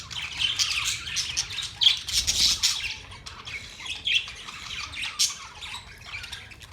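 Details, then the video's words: Pet budgerigars chirping and chattering: dense bursts of high, scratchy warbles and squawks, fast and irregular, running almost continuously with brief pauses. "Budgies singing | Budgies sounds | Budgies talking | Budgies chirping sounds"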